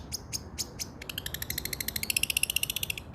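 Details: Long-tailed shrike (cendet) heard as training song for a bird that went silent: a few harsh chacks, then a fast, even trill of high clicking notes that rises slightly in pitch.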